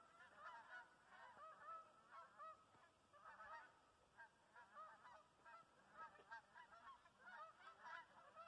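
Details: Canada geese on migration, a flock giving repeated nasal honks that overlap and run on without pause, several birds calling at once, fairly distant, with a faint background hiss.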